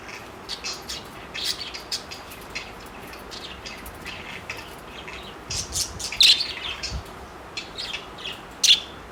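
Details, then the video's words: Pet parakeets, four of them, chattering while flirting: steady soft high tweets and chirps, rising to a louder cluster of squeaky notes and a final sharp chirp. "parakeet sounds of flirting"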